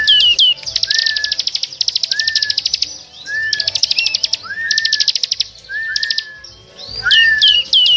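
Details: Lure recording of small birds for trapping: rapid, buzzy rattling trills alternate with short, clear whistled notes that slur upward, plus scattered sharp high chips, all busy and overlapping.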